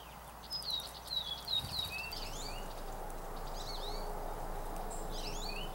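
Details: Juncos and other small birds during a mid-April snowstorm: thin, high, slightly falling call notes, about four in quick succession, then more chirps from other birds over a steady low rumble.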